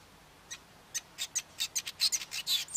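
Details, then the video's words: Male Cape weaver starting his long, wound-up song, with scattered high chips that quicken into a tight run of sharp, buzzy notes. "Cape Weaver male singing"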